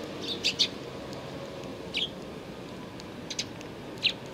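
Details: Sparrows gathering at food at a Tenmangu shrine on 2 April 2019: scattered short, high chirps, some in quick pairs, over a steady hiss of background noise.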